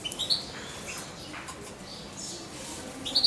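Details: Hand-reared young European goldfinch about two months old, kept with its owner, gives a few short high chirps at the start and again at the end, with quiet room noise between.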